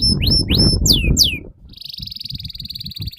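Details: Canary song used to train young canaries: repeated sharp downward sweeps over low rumbling noise, then a steady fast buzzy trill.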